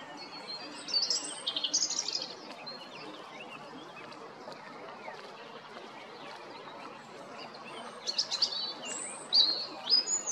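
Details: European robin singing at Jarun, Zagreb, Croatia, on 13 April 2022: a thin, high warbled phrase near the start, a long quiet pause, then a second bright jumbled phrase of sharp notes, over steady background hiss.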